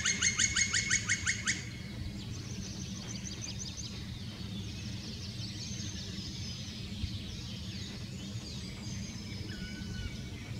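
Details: Black woodpecker at Slotplaats near Bakkeveen: a fast burst of about ten loud, ringing kri-kri-kri notes over a second and a half, then fainter high twittering over a steady low rumble.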